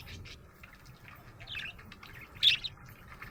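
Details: A happy budgie chirping: faint scattered high chirps, then one sharp, louder chirp followed by a short echoing note near the end, over a low background hum.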